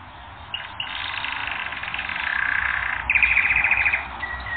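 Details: Canary on a training recording giving a rapid buzzy rattle, then a brighter fast trill of clipped notes, closing with a short thin whistle.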